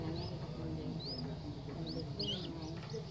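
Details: Young common moorhen, tame, calling with thin rising chirps, several in quick succession near the end, over a low background hum.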